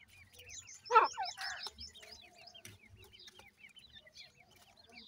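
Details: Grey francolin chicks at home giving soft, high, quickly repeated peeps throughout, overlapping among several birds, with one loud harsh burst near the start and a muffled lower sound after it.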